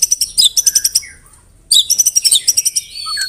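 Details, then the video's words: White-rumped shama song packed with canary and cililin imitations: a burst of rapid high chirps, a short pause, then another rattling run ending in slurred whistles. "MURAI BATU ISIAN KENARI, CILILIN SUPER NEMBAK"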